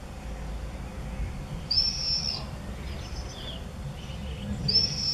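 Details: Common swifts, visiting 'bangers', at the entrance holes of observation nest boxes in a house in Beek Ubbergen, 8 June 2014: two shrill, buzzy, high screams about three seconds apart, with fainter thin calls between and a low background rumble.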